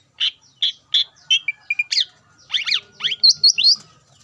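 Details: Greater green leafbird song meant to provoke rival leafbirds: spaced short chirps, then a tumbling sequence of quick rising and falling whistled notes and harsh chatter.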